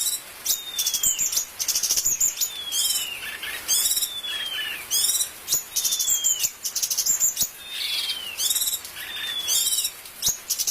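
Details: Bulbul (cucak cungkok) master song with filler phrases, used for training other cage birds: dense, high-pitched, unbroken run of clear descending whistles, rapid buzzy trills and sharp chirps, with short slurred notes repeated every second or two.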